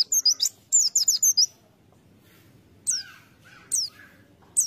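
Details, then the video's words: High-pitched twittering phrase of a lure-bird white-eye, a fast series of slurred whistles, then three lone downslurred notes at intervals of about a second. "Pleci | Burung Kacamata bahan pancingan"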